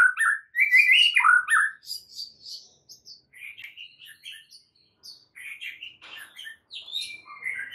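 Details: Varied White-rumped shama song from a fill-in training recording: a loud tumbling warble, followed by scattered chirps and twittered phrases jumping between pitches.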